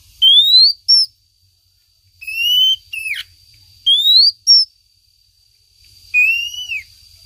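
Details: Lure recording of a female Oriental magpie-robin calling to her mate: pure upslurred whistles paired with short high notes, plus a falling whistle and a final down-curving note, with a steady thin high tone throughout.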